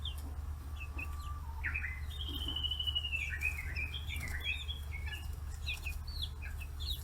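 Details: Young free-range chicks, 40 days old, around fish heads on a Hiroshima Prefecture farm in Japan; a long, thin, wavering high trill runs through the middle, amid scattered short peeps, with a steady low hum.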